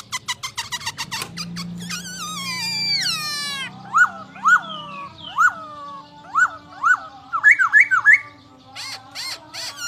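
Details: Varied masked laughingthrush phrases: a quick series of clicks, a cascade of falling whistles, then short sharply peaked whistled notes repeated at irregular intervals.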